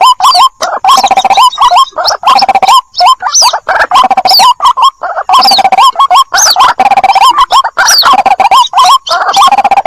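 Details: Lure recording from 2021 of a white-breasted waterhen chick calling to its mother. Continuous, loud, rolling mid-pitched notes with rising inflections run almost without pause, overlaid by higher sweeping whistles.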